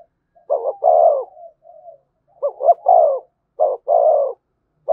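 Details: Spotted dove in the 'gù thúc' coo style, played to stir up a newly caught dove: low, soft hooting coos in pairs, a quick catch-note leading into a longer, fuller coo, repeated about once a second.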